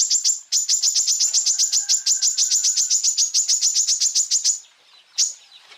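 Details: Greater green leafbird full-burst song, a tutor recording for other birds: nearly five seconds of rapid, steady, very high chip notes, several per second, then a gap and one more sharp note.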